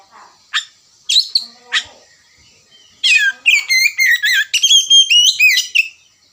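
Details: Oriental magpie-robin (kacer) opening its ngerewek song: a few spaced chips, then a sustained fast series of loud, high whistles and rasping slurs, delivered about four per second.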